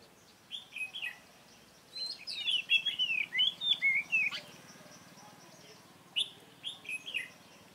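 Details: Red-whiskered bulbul, a wild-caught bird with a dark bib, trapped using a decoy bird on 24 March 2018; bright warbled phrases of rapid rising and falling whistles, a long run of connected notes in the middle, shorter bursts around it.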